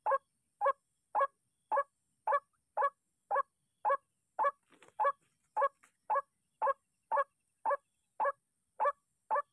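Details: Disturbed by decoy sounds, a white-breasted waterhen keeps up a long, regular series of rasping, mid-pitched croaks, nearly twenty notes at about two per second, with faint rustling partway through.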